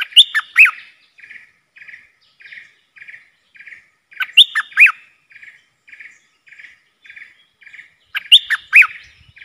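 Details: Agitated bulbul used as a lure for wild birds gives three loud, fluty bubbling phrases roughly every four seconds, each with swooping whistles, separated by evenly spaced, quieter buzzy chirps.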